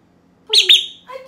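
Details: A pet Monk (Quaker) parakeet, talking while taking a shower as its owner prompts Spanish words like "beso" and "pollito", gives two quick, high, nasal voiced syllables like a short spoken word, then a softer, lower sound.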